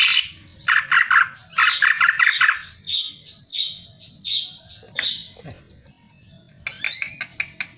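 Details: Greater green leafbird song serving as a lure to set other birds singing: scratchy chattering bursts give way to a series of clear upslurred whistles, a brief pause, then renewed bright whistled notes.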